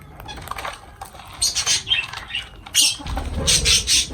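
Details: Lovebirds at feeding time give harsh, shrill squawks in short bursts, quiet at first and then louder and denser toward the end, over low background rumble.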